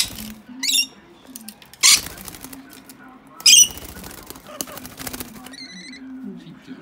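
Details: Two wild rescued baby rainbow lorikeets in a cage, happily bathing in their drinking water: brief harsh screechy bursts every second or so, with splashing and a low steady hum underneath.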